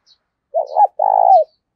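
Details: Spotted dove decoy, a caged bird in the thổ đồng voice style, used to spur wild doves to answer. It gives a single deep coo phrase: a quick two-part wobble, then a sustained vibrating note that drops away.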